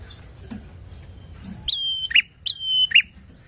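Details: Bar-winged prinia singing to provoke rival birds: two bright phrases, each a sharp rising note, a level high whistle held briefly, then a quick dropping chirp, over a quiet background.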